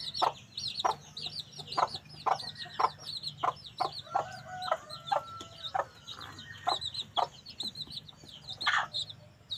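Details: A black female red junglefowl gives short, clipped clucks about twice a second, with high twittering from small birds and a brief whistled note behind.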